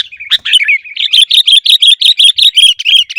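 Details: Sooty-headed bulbul song used for training caged birds to sing: a bright, rapid series of bubbly, whistled notes repeated nearly three times per second, loud and even throughout.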